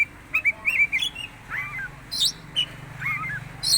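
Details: Oriental magpie-robin (kacer teler) with unusual vocalizations: fast slurred whistles and twittering notes, some dropping in pitch, followed by high sharp chirps, with a low hum underneath.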